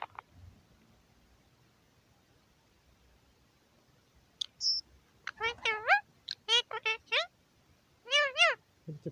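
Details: Caged male Indian ring-necked parakeet in a home aviary on New Year's Day 2021, talking to himself: after quiet clicks, a run of nasal, wavering speech-like syllables in short bursts.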